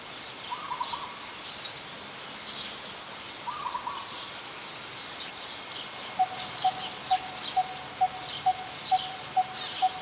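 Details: Coppersmith barbet, Ubon Ratchathani, Thailand, 1 February 2020: after two short burry trills, a run of regular hollow 'tuk' notes begins in the last four seconds, roughly two per second, amid high background chatter.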